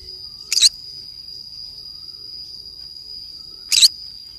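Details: Green-cheeked conure playing by itself in a forest: two brief, grating squawks about three seconds apart, set against a constant shrill insect hum.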